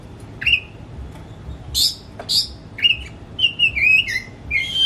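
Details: Caged Oriental magpie-robin, a household hobby bird, singing as a lure to provoke a silent bird into song: scattered clear whistles and rising slurs between short rasping bursts, against low steady background noise.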